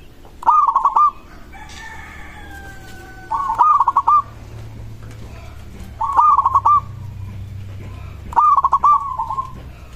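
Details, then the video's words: Zebra dove of local stock giving a song meant to make other doves answer: four trilled, pulsed cooing phrases about every two and a half seconds, with a long sliding tonal call early on and a low hum underneath. "Perkutut lokal suara ini disukai burung perkutut langsung nyaut"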